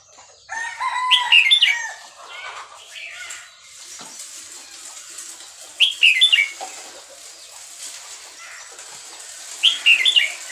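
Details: Burmese red-whiskered bulbul singing at Dan Singkhon; three short bright warbled phrases at the start, middle and end, about four seconds apart, with a faint high hiss between them.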